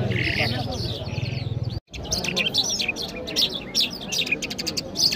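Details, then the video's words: Iranian Mashhadi jal songbird in Kabul, Afghanistan, sings amid loud low humming noise; after a brief dropout come clipped high chirps and quick sharp notes in an irregular series. "Jal Bird Singing |Iranian Jal Mashady Birds | جل مشهدي |طرقه پرنده مست و خواندي در کابل"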